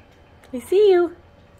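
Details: A pet sun conure (female) utters a short two-part, speech-like phrase in a fairly high, slightly nasal voice, the second part drawn out and falling gently, while being asked to step up and say peekaboo; the room is otherwise quiet.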